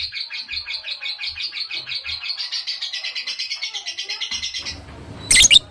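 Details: Long ngekek chatter of a lovebird, kept as a training recording: fast, even pulses of high buzzy notes running almost five seconds without a break, ending with a short sharp noisy burst.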